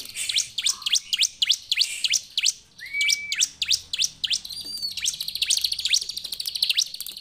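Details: Bar-winged prinia chirping rapidly in high, sharp down-slurred notes, joined by a brief low whistled note and a dense buzzy trill in the second half.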